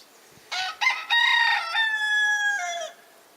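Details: A rooster in the countryside of the Lot department, France, in spring (April 2019) crows once, a rasping, harmonic-rich call of about two and a half seconds that rises, holds, and drops at the end, opened by a couple of short notes.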